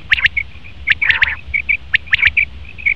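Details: Male common quail: rapid clipped three-note bursts, high and bright, alternating with short pure whistled notes, twice within three seconds.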